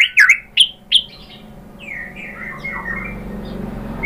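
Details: White-rumped shama (murai batu) song used as a lure to make other shamas answer: a few loud, sharp whistled chirps at the start, then faint, trailing slurred notes over a quiet background.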